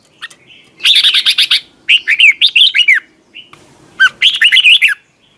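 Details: Competition song of a red-whiskered bulbul for training: three bright, warbling bursts of quick whistled notes that rise and fall, packed closely together over a few seconds.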